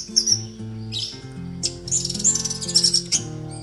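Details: Caged Orange-headed Thrush at a house terrace sings high, clear whistled phrases in quick bursts over steady background music, responding to other caged thrushes kept within hearing to provoke its song.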